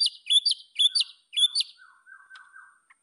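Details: White-rumped shama song, used as a training recording to provoke rivals: three high, sharp whistled phrases with quick slurred notes, then softer, lower warbling twitters trailing off.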